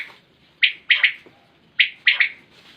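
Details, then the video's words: Common quail giving its rhythmic triple call, a short note then two fast, ringing notes, twice in under three seconds, clear over near-silence. "Batair Ki Awaz|Naye Recording Batair Ki Awaz| Common Quail Calling 2020| Batair sounds| QUAIL SOUNDS"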